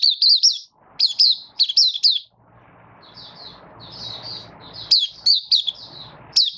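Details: Malaysian oriental white-eye kept as a cage bird, lightly moulting and building form, 24 August 2023. High, quick, warbled whistle phrases open and close the clip; softer twittering notes fill the middle over a steady low hum.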